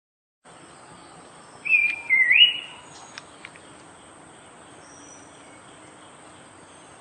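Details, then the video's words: Horsfield's babbler singing one clear whistled phrase that wavers downward, then sweeps sharply upward. A couple of faint short notes follow over a steady low hiss, with quiet surroundings before and after. "Suara Burung Campeor atau Pelanduk Semak"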